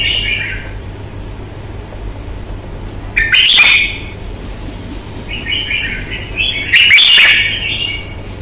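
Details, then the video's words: Red-whiskered bulbul kept in Vietnam for its fighting style and strong voice gives two loud warbled phrases about four seconds apart, each a quick run of whistles capped by a harsh burst. "CHÀO MÀO | Bóng bộ thái độ nết đấu chất giọng cực hay"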